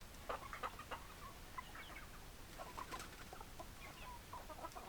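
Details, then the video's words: Hens clucking together, short soft clucks overlapping in a steady busy chatter, with a few louder sharp notes near the start and low background rumble. "Chicken Sounds Noises Hens Clucking Roosters Crowing"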